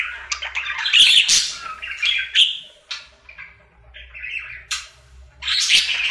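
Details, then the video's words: A pet male budgerigar sings his daily happy routine in uneven phrases: loud scratchy chatter and squeaks, a quieter stretch of soft chirps in the middle, then another loud burst. "Budgie singing for 1 Hour Happy song!"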